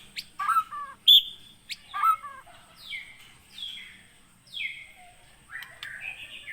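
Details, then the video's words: Captive white-rumped shama of Aceh, Gunung Leuser line, caught wild in Pining in 2017. Its song is varied: sharp clicks and high pure notes, warbled low phrases, then a run of descending whistles, each slurring downward. "MURAI BATU ACEH GUNUNG LEUSER"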